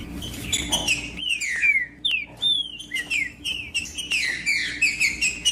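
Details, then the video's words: Trinca-ferro (green-winged saltator) song used to prompt hesitant birds: bright whistled notes gliding down, a brief pause, then a dense string of falling and wavering whistles. "O MELHOR VÍDEO PARA ESQUENTAR TRINCA FERRO FRIO COM TRINCA FERRO CANTANDO"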